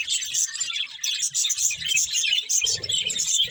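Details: Budgerigars chirping in a dense, continuous chatter of rapid high twittering notes, with faint low thumps in the second half.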